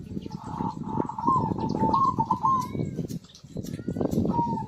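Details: Vigorously singing zebra dove, played as a lure to get non-singing birds going: a long, continuous trilled cooing phrase with slight pitch bumps, a brief pause, then a shorter coo, over heavy low-pitched background noise.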